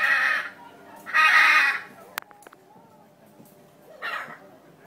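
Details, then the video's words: Blue macaws at Brevard Zoo, Melbourne, Florida giving harsh, raspy squawks: two long grating calls about a second apart, then a shorter one, with a few clicks between. "Blue macaws"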